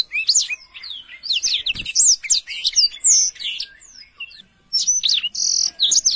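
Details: Black-throated canary song with rapid, high, slurred chirps and twitters, a quieter stretch, then a return of bright notes and a short buzzy trill.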